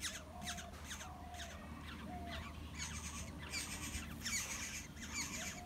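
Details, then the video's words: Black-hooded oriole chicks in the nest beg for food from adults with scratchy, raspy squawks in uneven bursts, growing busier toward the end, over a constant low hum and soft drawn-out tones. "Yellow birds feeding their chicks In the nest।হলুদ পাখির বাসা ।kepodang bird ।Black -headed oriole"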